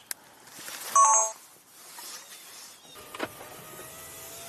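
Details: Vehicle and mechanical noises, including a short electronic beep, a whirring motor and faint clicks, with no animal voice.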